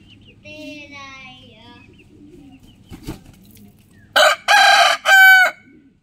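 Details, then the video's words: Rooster crowing in the morning: a faint, drawn-out crow early on, then a loud, harsh three-part crow near the end, the last note strongly ringing; a soft thump and low background murmur between. "Beautiful Rooster Crowing in the morning"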